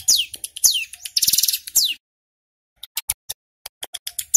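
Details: Male ciblek gunung in loud 'ngebren' song for luring wild birds: descending whistled slurs and a buzzy rattling trill, then a silent gap and scattered high clicks.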